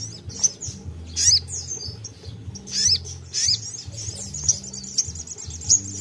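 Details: Sogon in full song, played to encourage other sogon to sing: loud, sharp chirps and short squeaky phrases about every second or so, with quieter high pips and continuous low music underneath.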